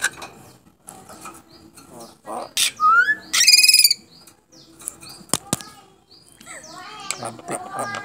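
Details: Contest-winning starling that can talk: varied chirps, a rising whistle, a loud buzzy squawk, sharp clicks and jumbled twittering notes.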